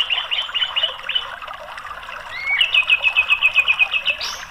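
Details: White-rumped shama singing in a lure recording meant to get a quiet bird singing: a few whistled notes, then a fast even run of about a dozen sharp repeated notes.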